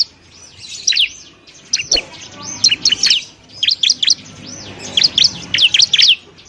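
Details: Masteran training song of a bar-winged prinia for tutoring other cage birds: quiet start, then clustered bursts of shrill, rapid chirps and squeaky slurred notes over faint background hiss.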